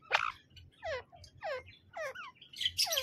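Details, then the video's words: A harsh opening squawk from a male and female Grey francolin, the teetar, followed by four well-spaced, clear descending whistled notes repeated roughly every half second over faint low hum. "Grey Francolin male and female male teetar voice teetar awaz"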